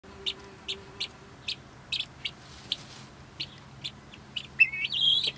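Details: Pet helmeted guineafowl: a hen sits on her nest while two others keep her company, chattering. They give short, sharp, high chirps in a quick series, ending in a louder grating burst.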